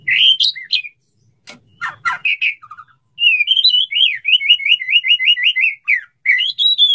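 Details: Male white-rumped shama courting a female, wanting to mate: loud varied whistled phrases, then a fast run of repeated rising-falling notes, ending in clear upslurred whistles.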